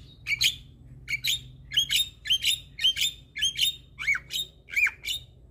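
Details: Black-winged starling song played to prompt reluctant starlings to answer and sing: a steady series of eight sharp, ringing whistled notes with harsh edges, spaced about two-thirds of a second apart.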